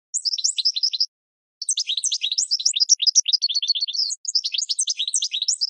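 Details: Training song for cage birds from a goldfinch: a short twittering phrase, a pause, then a long continuous stream of rapid bright chirps and slurred notes, partly descending in steps; quiet background.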